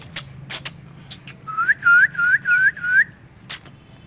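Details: A caged ringneck parrot's morning calls: five quick looping whistles in a row, each curving up then down, with sharp clicks before and after in a quiet room.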